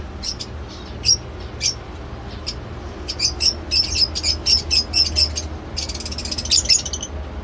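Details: Lovebird giving thin, high chirps, a few isolated notes first and then a quick run of evenly spaced squeaks about three per second, ending in a brief burst of chatter over a soft hum.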